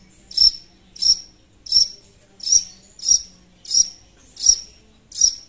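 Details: Long-tailed shrike calling a rival, used as a lure: a sharp, high, clipped note repeated steadily about every two-thirds of a second, eight times, with near silence between.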